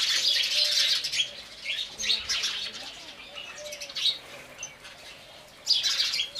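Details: House sparrows drinking water give bright, chirping calls in quick bursts, several birds overlapping, with soft rustles between.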